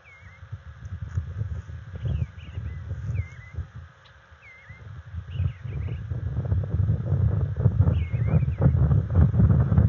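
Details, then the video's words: Bald eagles, a resident female and male pair at a nest, filmed on February 21, 2022 while mating and tracking territory; a run of short, high, down-slurred chittering notes in loose series over loud roaring wind. "Bella & Smitty - Tandem Mating - Tracking Territory"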